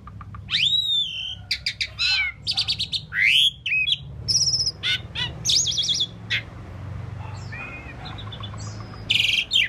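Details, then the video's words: An Asian pied starling sings a rambling medley of whistles, slurred rising and falling notes, clicks and harsh chatter in quick, irregular bursts, over a low steady hum. "Asian Pied Starling Bird Singing and Chirping"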